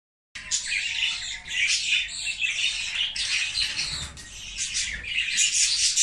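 Budgerigars squabble over food with harsh, scratchy squawks and rapid chattering chirps that overlap without pause.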